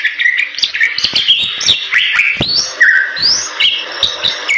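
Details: Bali myna, a bird endemic to the forests of western Bali, Indonesia, giving a lively song of loud whistled notes, rising and falling slurs and sharp chirps, with clicking sounds between phrases.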